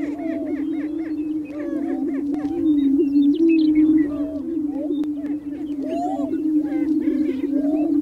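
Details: Greater Prairie-Chicken males displaying on a spring lek on open prairie, mating booming: overlapping low, hollow, moaning booms form a steady drone, broken by rapid higher whoops and cackles from many birds; calls carry up to a mile.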